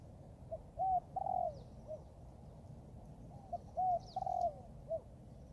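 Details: Young Thai-line spotted dove being trained in the forest gives two cooing phrases, each a few short soft notes followed by longer mellow coos and a final brief note. Faint thin chirps of other birds sound high above.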